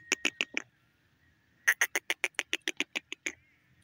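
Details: Calling female grey francolin (teetar): four quick, harsh notes, a second of quiet, then a steady run of about twelve loud, clipped notes repeated several times a second, fading at the end.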